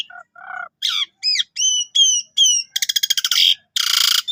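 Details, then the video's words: Javan pied starling in full song, described as a lively 'gacor' bird used as a tutor for canaries: low hoarse notes, then repeated upslurred whistles, a rapid dry rattle and a harsh buzzy burst. "Jalak Suren Tio Gacor Isian Full Cocok Buat Masteran Burung Kenari"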